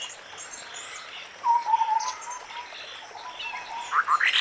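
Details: White-browed scimitar babbler in forest: a low, slightly wavering whistled note held for under a second, then quick rising notes near the end, with thin high chirps from other birds overhead.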